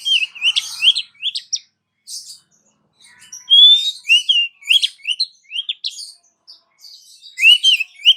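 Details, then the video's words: Oriental magpie-robin female calling a male, a popular lure sound: busy run of short bent whistles and scratchy twitters, one long rising whistle in the middle. "SUARA KACER BETINA MEMANGGIL KACER JANTAN"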